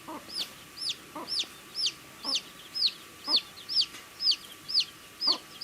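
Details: Baby chick eating food, repeating a clear high peep that rises then falls, roughly twice a second in a steady rhythm, with soft pecking taps between calls over a faint hum.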